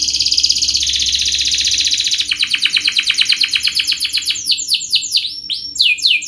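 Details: Canary singing a rapid, tight song: a bright high trill that drops slightly in pitch, then a run of quick repeated chirps, ending in sweeping downslurred whistles.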